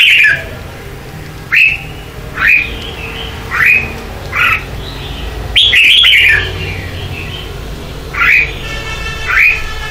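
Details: Red-whiskered bulbul in morning contest song, meant as lure sound to train other birds: a series of short, sharp, downslurred whistled notes repeated roughly every one to one and a half seconds, with one longer rolling phrase midway.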